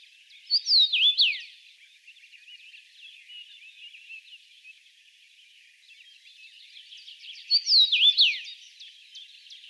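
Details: At a Russian forest edge, a common rosefinch (Carpodacus erythrinus) sings two short phrases of clear, slurred whistles about seven seconds apart, over soft, steady background chatter.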